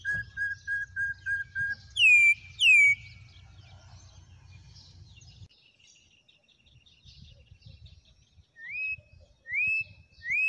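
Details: Wild campo troupial giving loud, clear whistles: a run of short level notes, two strong descending slurs, then rising upslurred whistles, with faint chirps between.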